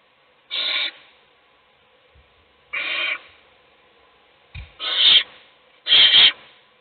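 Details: While its siblings sleep, an owl chick is fed by its mother; four breathy, harsh screeches about a third of a second long, spaced irregularly, with a brief low knock before the third.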